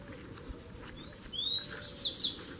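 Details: Wild male double-collared seedeaters, three arriving together to fight in a duel; two thin rising whistles lead into a loud, high, scratchy twittering burst over a steady low background hum.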